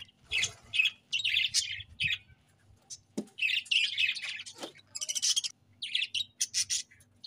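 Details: Budgerigars chirping in a lively stream of short, scratchy, high chirps and warbled bursts, with brief pauses between clusters and a few lower squawky notes.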